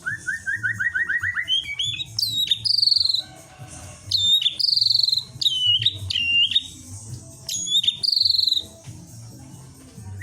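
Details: White-rumped shama song used to provoke rival birds: a quick rising series of mid-pitched notes, then loud, clear whistled phrases with sweeping drops, separated by short pauses, over a low hum.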